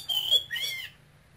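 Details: A caged male Oriental magpie-robin, taken from Cambodia as a youngster and naturally an eager, persistent, high-pitched caller, gives two clear whistled notes: a high steady one, then a lower rising one.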